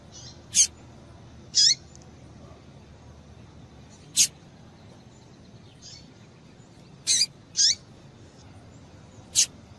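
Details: A female double-collared seedeater gives seven sharp, high chirps at irregular intervals, some doubled, over a quiet, steady hiss; this call is used to stimulate males to sing.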